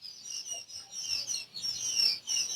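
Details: Day-old quail chicks being brooded on their first day, a flock peeping in high, thin notes that rise and fall in loudness in short pulses.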